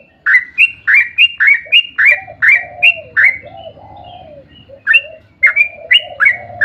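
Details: Rapid-fire lure song of a sooty-headed bulbul, 'ropel panjang', to set other bulbuls singing. About a dozen sharp whistled notes come in quick succession, broken by a few low, drawn-out hooting sounds and a soft low hum.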